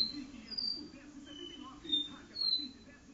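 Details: In a living room, a caboclinho gives its do-re-mi song, a few clear whistled notes, some sliding up and some down, spaced unevenly, over low indoor murmur.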